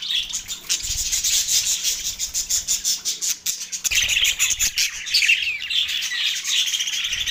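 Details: Budgies in mating excitement, Larkana, Sindh, March 9, 2024: a busy flock chorus of high, rapid chirps and scratchy warbles, pulsing in quick bursts, with a brief lull near the middle before the chatter swells again.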